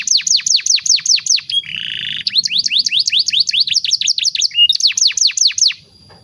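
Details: Canary master song for training young birds, long-running: rapid series of downward-slurred whistles repeated about twice a second, broken by a brief buzzy trill, then more fast descending notes.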